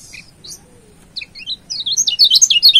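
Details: Kecial kuning white-eye of Lombok giving training master song to provoke rivals: scattered high chirps at first, quickening into a rapid, dense twittering warble toward the end.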